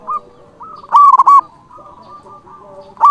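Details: Local zebra dove, loud and persistent, calling out to rivals: a short faint coo, then a strong burst of three rolling notes, trailing into soft drawn-out cooing and a fresh loud note at the end.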